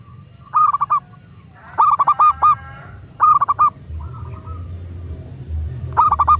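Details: Local zebra dove cooing for use as a prompt to get kept doves singing: several short stuttering phrases of four to six clipped mellow notes, about a second or so apart, with a low rumble in the background.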